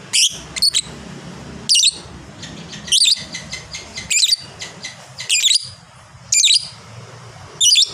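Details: Lovebird, fighter type known for long ngekek chatter, repeating harsh high squeaky bursts roughly every second, often in quick doublets, with faint low background rumble.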